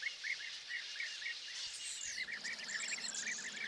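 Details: Several European bee-eaters around perches in Hungary on the morning of 10 May 2024: busy overlapping rolling chirps repeated continuously, with a high descending whistle from another bird midway and a background hiss.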